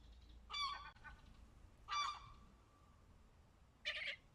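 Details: Gull chicks recorded at Pärnu, Estonia, 20 May 2024. Three separate raspy, harmonic calls come about one and a half seconds apart. The second trails into a thin sustained tone; the last is shorter and higher.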